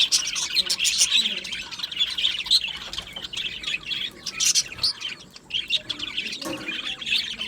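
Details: Australian budgie parakeets in an aviary colony chirp and sing in a busy, high-pitched chorus of twitters and squeaks that eases slightly near five seconds.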